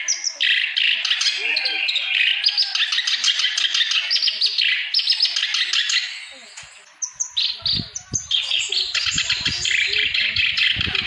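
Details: Clamorous reed warbler singing vigorously, used to stimulate other birds that have stopped singing; a dense, fast stream of harsh chattering and scratchy high notes, nearly continuous, with a short pause near the middle and faint low knocks.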